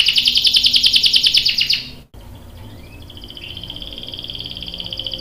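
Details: Canary in full 'gacor' song with 'ngerol' rolling, a young male joining in: a loud rapid trill for two seconds, a brief silence, then a softer continuous trill that slowly builds in strength.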